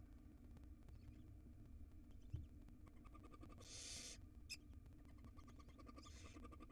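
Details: A tiny wild barn owl nestling in its nest box, swallowing a rodent's tail, gives a loud rasping hiss then a fainter one about two and a half seconds later, with a sharp knock and steady hum.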